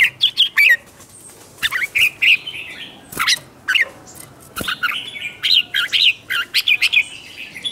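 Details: Red-whiskered bulbul in a provocation singing session, with bursts of bright warbled whistles and chirps separated by short gaps, several sharp clicks, and a faint background hiss.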